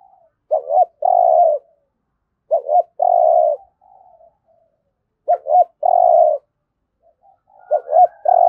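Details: Spotted dove cooing in the 'thúc gù' style, a recording for daily training of decoy birds; four phrases, each two short clipped notes followed by a longer steady low coo, repeating roughly every two and a half seconds against a quiet background.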